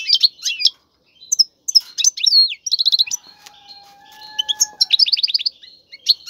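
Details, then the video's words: Singing male European goldfinch, kept in a cage, urging a female to mate: clusters of sharp twittering notes, a short rattling trill, pauses, then more quick chirps and a closing trill. "مقنين يغرد بقوة💪, سوف يجبر انثى الحسون🐦 على التزاوج👫"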